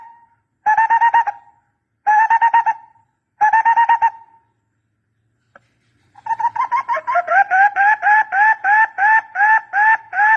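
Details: Barbet calling for decoy trapping. Three short bursts of rapid hollow hoots come first. After a pause, a long, fast, continuous series of repeated hooting notes follows, rising and falling slightly in pitch.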